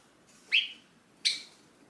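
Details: Pet Java sparrow in a cage calls after its owner, who is about to leave: two loud, sharp chirps about three-quarters of a second apart, the first bending upward and the second bursting bright, with the room otherwise quiet.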